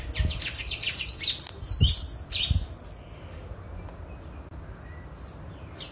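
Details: Free-living Sayaca tanager singing in nature, its song described as sharp, loud and successive: about three seconds of rapid, high, squeaky twittering notes, then near quiet with a few faint high notes toward the end.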